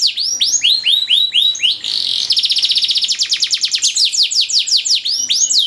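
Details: Canary master training song with ornate, long-running phrasing for tutoring canaries: repeated downslurred whistled notes, a brief buzzy stretch, then rapid rolling trills of evenly spaced notes.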